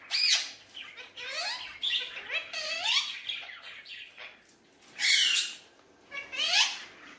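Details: An Alexandrine parakeet, a hand-tame talking pet playing with a mirror indoors, gives harsh, high squawks mixed with rising, warbling chatter in irregular bursts, several loud outbursts in seven seconds.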